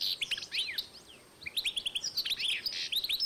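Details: Goldfinch and canary hybrid, recorded in 2012, singing fast high twittering phrases of short chirps and trills, with a brief pause midway before the warbling resumes.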